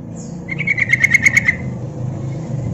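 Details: One fast chattering burst of about ten clipped notes on a single high pitch from a female yellow-vented bulbul calling to attract birds, with a steady low background hum.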